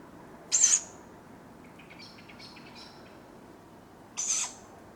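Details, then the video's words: Dawn in Padarn Park woodland, July: tawny owlets give two hoarse, wheezing food-begging screeches roughly three and a half seconds apart, while a small bird twitters quietly in the gap between them. "Sound of Tawny Owlets calling for food at dawn"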